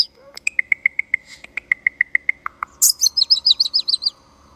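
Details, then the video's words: A bird giving a rapid run of clear, even whistled notes on one pitch, a lower slurred pair, then a burst of high, squeaky rising notes repeated quickly, in a quiet setting. "This bird makes unbelievable noises"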